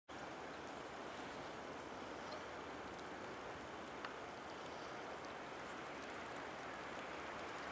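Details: Steady broadband rush of wind and water, like waves or a passing boat, with one brief click and no animal voices.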